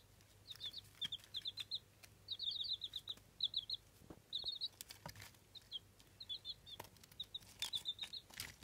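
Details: Eight-day-old Jawa Aseel chicks hatched in an incubator. High, thin peeps come in quick clusters of two to five, repeated about every half second, with faint clicks and taps between them.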